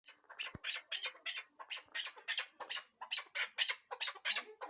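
Chukar partridge giving a fast series of harsh, clucking chuk notes, about three per second, rough and scratchy in tone.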